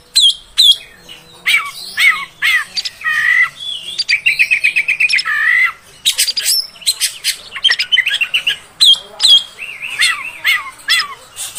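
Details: Female oriental magpie-robin calling to make males agitated: varied whistled notes and quick slurred chirps, some rising, some dropping, with short rapid trills near the middle, sung in bursts with brief pauses.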